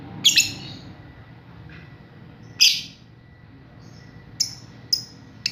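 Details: Young lovebird learning to ngekek, played as a lure to make other lovebirds respond; sharp high chirps and squeaky notes come at irregular intervals over steady low background hum.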